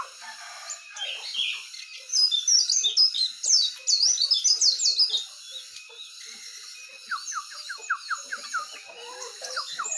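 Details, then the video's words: Morning birdsong featuring sooty-headed bulbul, yellow-vented bulbul and white-eye: a dense chorus of high chirps and twittering, a loud burst of rapid sweet notes in the middle, then a run of quick descending whistles near the end. "Suara Burung Jongkangan, Terucukan , Pleci di pagi hari"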